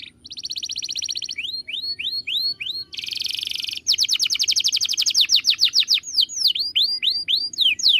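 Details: Canary song as a master for training birds: a buzzy trill, a row of rising whistled slurs, another buzz, then a long rapid rattle of notes followed by descending whistles.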